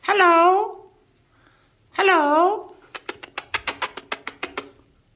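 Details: Imitating Alexandrine parakeet giving two long, bending meow-like calls, then a rapid burst of about thirteen dry clicks over two seconds.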